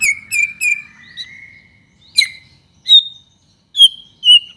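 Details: Lure song of a prolific white-rumped shama meant to set other shamas singing: three loud rich whistled notes, a long gliding whistle, then separate sharp high whistles with silent gaps between them.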